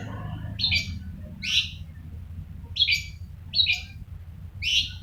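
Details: Long-tailed shrike, described as continuously singing, giving five harsh, high rasping bursts roughly one second apart, each brief and scratchy, over a low background rumble.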